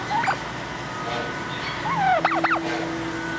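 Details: Turkey at a zoo, recorded 7 October 2021: a quick, wavering burst of gobbling notes that sweep sharply up and down late in the recording, after a softer warbled note near the start, over a steady background hum.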